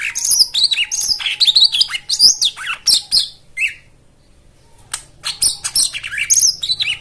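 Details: White-eye song for coaxing silent birds to sing: fast chattering, warbled twitters in high bursts, a short quiet gap, then more rapid twittering.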